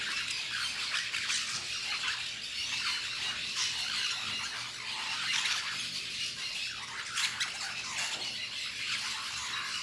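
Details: At La Fortuna, lorikeets feed on fruit amid a constant wash of high, rasping squeals and squawks from many birds, with brief louder screeches rising above the chatter.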